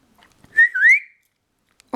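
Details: A cheeky pet budgerigar, pestering its owner at watercolour painting indoors, gives a clear whistled chirp, a short note followed by a rising sweep.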